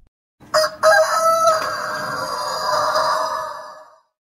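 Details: Rooster crowing: two short opening notes, then one long, strained, harmonic crow held for nearly three seconds that slowly fades, in otherwise quiet surroundings.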